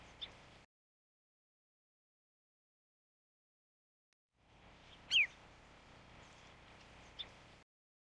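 A Marsh sandpiper gives one clear, high, down-slurred 'tyew' note, with two fainter similar notes before and after over a soft background hiss.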